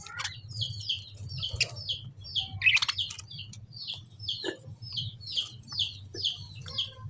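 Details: Lovebird chirping: a regular series of sharp, high, downward-slurred chips, roughly two to three per second, with a few fainter scratchy notes and a low hum beneath.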